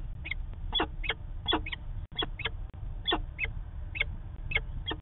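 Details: Peregrine falcon calling in Manchester, New Hampshire, on 19 September 2018: harsh, rasping notes with layered overtones, given singly or in quick pairs about every half second, over a steady low rumble.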